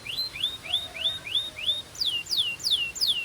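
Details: Belgian canary in song: a string of upward-slurred chirps about three per second, switching to louder, drawn-out downward-curving whistles at the same pace.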